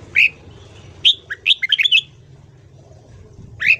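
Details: Red-whiskered bulbul giving morning song for voice training: an opening whistle, then a fast cascade of about eight warbled notes, then a lone whistle after a pause.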